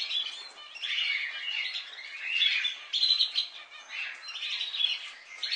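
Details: Several pet budgerigars, kept as companions so they are not lonely, chattering together in a continuous warbling trill, with bright chirps and short whistled notes rising and falling in waves over a steady busy murmur.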